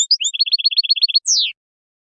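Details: Algerian European goldfinch, khelwi song: a few rising slurs, then a steady string of short high repeated notes, closing with a long downward-sliding whistle.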